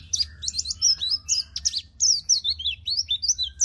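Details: White-eye kept in a cage, singing hard as a training song for other cage birds: rapid, very high twittering of slurred, falling chirps packed closely together, over a faint low hum.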